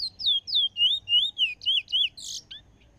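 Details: A bullfinch from Trinidad sings a quick run of clear, sweet whistled slurs, about four a second, high and rising, ending in a brief buzzy note; there is faint background hum.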